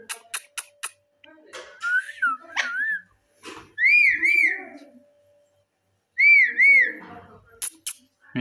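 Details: Raw parrot and ringneck parrot kept as pets, talking together: clicks and short noisy sounds, then whistled wavy phrases with rippling pitch in three main bursts, separated by quiet gaps, with faint background clatter.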